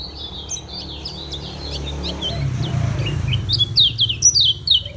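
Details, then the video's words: Caged yellow white-eye from Lombok singing in the slow, continuous ngejos style: quick high thin chirps and short sliding whistles, loudest and densest near the end, over a low background rumble. "SUARA KECIAL KUNING LOMBOK NGEJOS SELOW"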